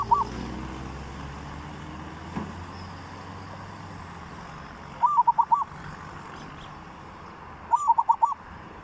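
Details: Zebra dove singing a 'three provinces' style song, used as a lure for training birds: a brief fragment and then two rolling phrases of five rapid coos each, with low traffic rumble throughout.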